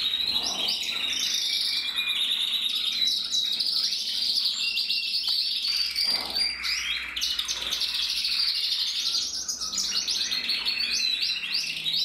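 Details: Male red-black mosaic canary from a canary breeder, recorded in 2024: a continuous, dense song of rolling trills, buzzy rattles and bright chirps, unbroken for twelve seconds at an even loudness.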